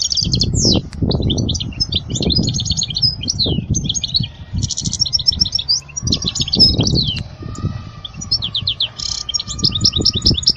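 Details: European goldfinch song to teach young goldfinches: varied twittering phrases with buzzy trills and chirps, alongside low knocking and rumbling noise and a faint steady hum.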